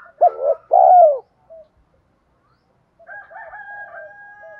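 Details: Spotted dove decoy meant to lure wild doves; one two-part coo with a long falling ending, then a sustained, thin, higher-pitched tone for the last second and a half.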